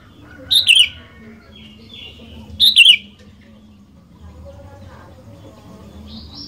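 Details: Lively sooty-headed bulbul song played to prompt other bulbuls into singing: clear, brief, bubbly descending phrases repeated roughly every two seconds, with faint softer chirps and background murmur between them.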